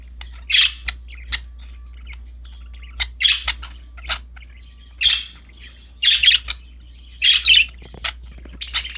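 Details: Budgies, happy and playing with a new toy, make scattered squawky chirps and soft clicks, bursts clustering around the middle and end, over a constant low hum.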